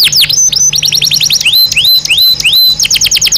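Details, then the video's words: Belgian canary song for daily stimulation and training, alternating quick runs of downward sweeps with long rising upslurred whistles in a varied, fast-paced phrase. "Som de 1 Hora com Canario Belga Cantando Naturalmente"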